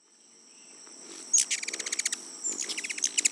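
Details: Ruby-throated Hummingbird making its squeaky noise: two quick bursts of sharp, very high chips, about ten a second, over a faint steady high whine; its fast wingbeats also make a bee-like buzzing.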